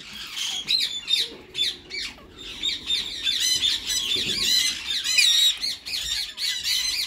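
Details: Two rose-ringed parakeets, white male and green, in talking mode; dense, overlapping squawks and chattering notes run almost without pause over a steady rustling background.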